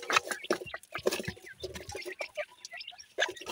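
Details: Baby pheasants feeding contentedly; low soft clucking notes mix with a few brighter chirps and short gaps of quiet between bursts of calls.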